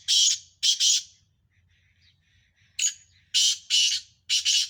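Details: Sindhi black francolin, one of five in a calling contest, delivers two phrases of loud, rasping notes. The notes are broad and buzzy, in groups of two then three to four, with a gap of over a second between phrases and a low hum beneath.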